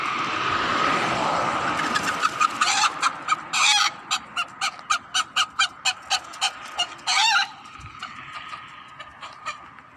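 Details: Hen clucking in a quick, steady series of short sharp notes, about four a second, broken by a few longer harsh squawks, over a constant background hum.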